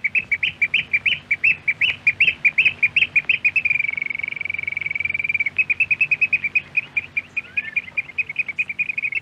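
A Eurasian oystercatcher gives loud, shrill piping notes in a rapid series, about five a second, briefly merging into a steady trill before the piping resumes.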